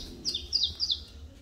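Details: Saffron finch of the Mineirinho line, getting back into song after nearly two years with stuck feathers: three quick, high, falling notes in a short phrase, with faint background hum.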